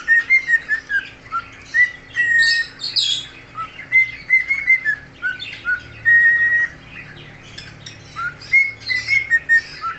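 A cockatiel sings in clear whistled phrases, rising and falling, mixed with scratchy chatter.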